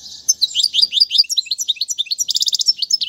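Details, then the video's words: Goldfinch tutoring song for chicks: a hurried series of high liquid chirps rising in pitch, then a tight buzzy trill of rapidly repeated notes before more twittering. "أفضل تغريد الحسون"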